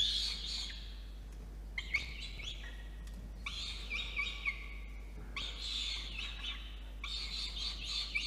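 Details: Peregrine falcon chick food-begging during an evening delivery at 8:56 PM, 5 November 2021, in a water-tower nest box in Orange, New South Wales, Australia; loud hoarse screams in four long runs, each about a second, steady low hum behind.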